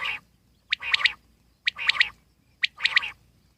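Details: Wild common quail repeats its phrase three times, about one second apart: a sharp high note, then a quick rippling pair of bright notes, all evenly spaced.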